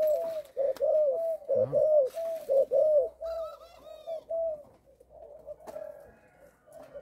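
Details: Young caged spotted dove from a Malaysian sire line, tested before going to a buyer, with a stuttering coo of three opening notes. A quick run of low, rounded, arching coos fades out. Faint higher chirps from other birds sound behind it.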